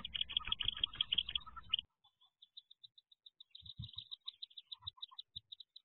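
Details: Wood duck ducklings inside a nest box on the 2023 jump day, with a green heron hunting nearby: dense, overlapping high peeps for about two seconds, then a thinner, steady run of separate high peeps with a few low thumps.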